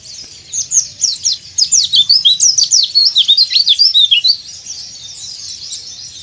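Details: White-eye in breeding condition, calling to rivals, delivers a dense run of very high, sharp, down-slurred chips about three per second, then trails off into quieter twittering.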